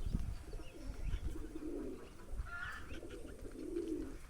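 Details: Pigeon, recorded while explaining how to tell male and female pigeons apart: low, soft, rolling coos in two drawn-out phrases, one in the middle of the clip and one near the end, with a faint higher note between them.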